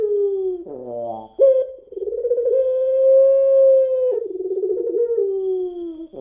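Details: Puter pelung dove singing a lure: a falling coo, a gravelly rattling cough, then a long rising-and-level clear note trailing into a wavering lower tremolo.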